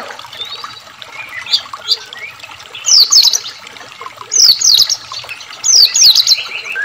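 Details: A White-rumped Shama lure recording with added water sound: loud, sharp zigzag whistled phrases, repeated about every one and a half seconds, over soft chirps of other birds and trickling water.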